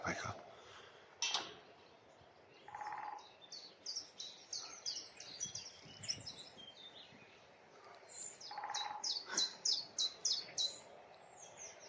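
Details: A common chiffchaff sings in woodland on a spring morning in Lynford Woods: high, even notes alternating between two pitches, about three per second in a steady chiff-chaff run, with a person speaking in short bursts between phrases.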